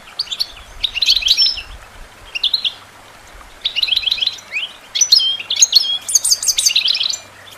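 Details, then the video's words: European goldfinch song meant for training songbirds: bursts of bright, tinkling twitters and buzzy trills in a high register, separated by short pauses, with nothing else audible. "Goldfinch Training With Stimulating Support for Songbirds"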